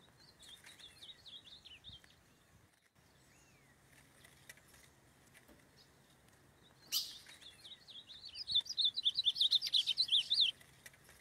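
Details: Excited male ultramarine grosbeak (azulão) loose in the wild while mating with a female; whistled note series, a pause, a sharp thump, then a loud rapid volley of slurred whistles about four per second.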